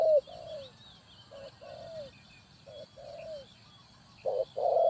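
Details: Spotted dove used as a decoy for bird trapping, giving soft low cooing phrases, each a short note followed by a longer falling coo, repeated in groups with brief pauses; faint higher bird calls in the background.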